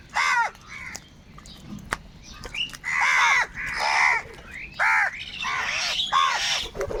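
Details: Huge numbers of crows fighting for food, with repeated harsh arched caws from several birds, overlapping in bursts with short pauses.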